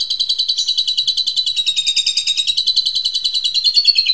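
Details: Training recording of Asian pied starling song for juveniles: a steady, rapid buzzy trill, pulsing about three times a second, slightly rising toward the end.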